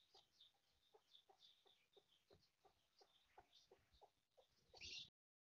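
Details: Foraging mother hen, heard quietly: soft, evenly spaced low clucks beneath faint, high cheeping, ending in a brief louder burst before silence.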